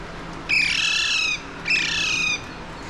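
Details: Alexandrine parakeet, or pahadi parrot, in Mumbai, India, watched from a window on 30 April 2023; a pair of loud, raspy, nasal squawks, each lasting nearly a second, separated by a short gap, with quiet background hum.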